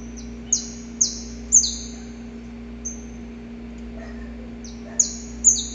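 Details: Male saffron finch recorded in the wild, singing before dawn while courting a female: sharp, high, downslurred chips given singly or in quick pairs with short pauses, over a steady low hum.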